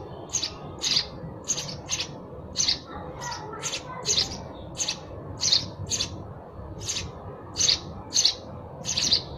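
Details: Persistent sparrow chirping, roughly seventeen short, harsh notes at uneven intervals of about half a second, some doubled, with faint low background noise.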